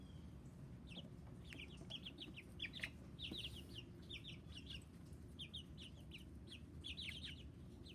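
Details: Chicken chicks peeping loudly: a dense chorus of short, high, downward-slurred cheeps, many overlapping in quick bursts throughout, over a steady low rumble of background noise.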